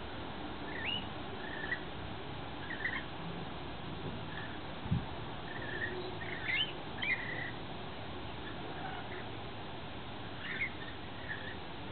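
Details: Wild lorikeets feeding on a wet nectar mix in a yard in the afternoon. Short, high chirps and squeaks come in scattered bursts across the clip, over a steady low rumble.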